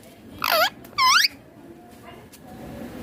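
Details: Green ringneck parrot, eating, utters two loud harsh wavering speech-like calls in quick succession, then low room noise.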